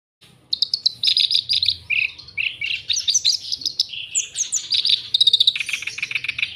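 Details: Black-browed reed warbler (Acrocephalus bistrigiceps) singing very actively, used as a training recording: a fast, varied stream of harsh chatters and sweet whistled notes.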